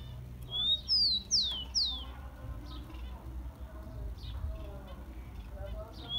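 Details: Warm-up song for captive rufous-collared sparrows: a brief phrase of one level whistle and three sharply falling clear whistles, followed by faint scattered chirps and another soft whistle near the end over steady hum.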